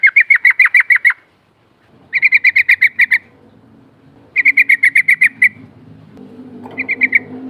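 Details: Sooty-headed bulbul, trucuk, rolling 'ngerol' song played as a lure to draw a response: bursts of about eight quick, buzzy repeated notes, each burst lasting about a second, with short pauses between them and a faint low hum underneath.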